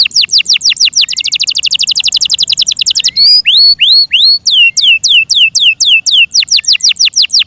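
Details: Loud song from a pet Yorkshire canary: a fast run of falling notes, then a rapid even trill lasting about two seconds, then slower hooked whistled slurs sweeping down, steadily repeated.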